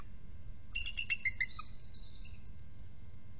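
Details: Bald eagle calling at a nest cam during a changeover among a trio of adults: a fast squealing chitter of bright stacked notes lasting under a second, then softer descending piping, against constant low-frequency noise.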